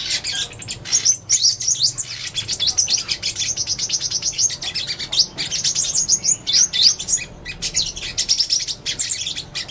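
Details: Purple-throated sunbird pouring out an unbroken, high, sibilant twitter of rapid chirps and squeaky slurs for nearly ten seconds, with no other clear sounds.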